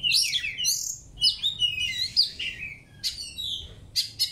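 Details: White-rumped shama (village type) in a training session sings a rich, varied run of high whistles, trills and buzzy notes in quick bursts, with short pauses between phrases.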